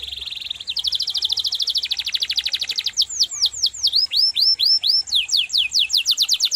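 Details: Rolling canary song for tutoring other cage birds. A steady buzzing trill speeds into a fast rattle, then turns into repeated downward-curving whistles and bright rising sweeps.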